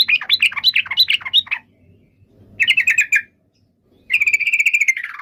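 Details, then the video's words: Yellow-vented bulbul delivering a quick run of bubbly warbled notes, then after a pause a short buzzy trill, and finally a steady rattling series that slides slightly downward; faint low hum behind. "SUARA BURUNG TRUCUKAN"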